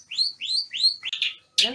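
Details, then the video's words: Long-tailed shrike of the Banyuwangi type, singing while in moult: three clear upslurred whistles in quick succession, ending in a short harsh burst. "Burung Cendet Banyuwangi Full Berkicau Saat Mabung"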